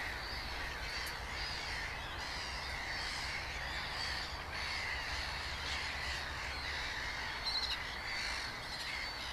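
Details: A steady din from a breeding colony of Mediterranean gulls at Stanwick Gravel Pits, Northamptonshire, on 8 July 2017, the species' first breeding in the county: many overlapping nasal, yelping calls with no pauses, all at once.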